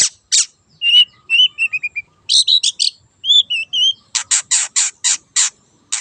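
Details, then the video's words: Long-tailed shrike in energetic lure song, said to be a wild bird: harsh broadband rasps alternating with clear high whistled notes, some falling in short series, then six loud scratchy bursts in quick succession. "PANCINGAN CENDET GACOR SUARA BURUNG LIARAN"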